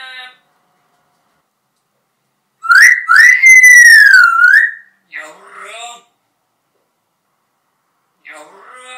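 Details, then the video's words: Pet parrot in its second year with its owner, said to know about 80 words and able to sing a march, here giving a loud whistled phrase that rises and wavers, followed by softer talking-like syllables after a pause. "Marş Söyleyen, Konuşan Papağan"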